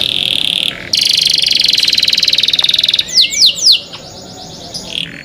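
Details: Canary singing a cenkok-style song: a loud, fast buzzy trill for about two seconds after a brief pause, then a few sweeping downslurred whistles and quieter ticking notes.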